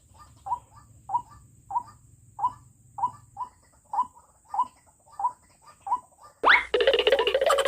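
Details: Decoy White-breasted Waterhen used for trapping wild waterhens, uttering short, evenly spaced notes with softer doubled echoes for about six seconds before a sudden loud burst of noise cuts in.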